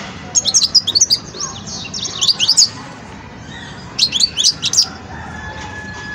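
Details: Young European goldfinch of the Wedani type in its song-learning stage, giving two bursts of high, thin twittering notes, quick buzzy and sliding chirps strung together, with a quiet pause between bursts and a low steady background hum.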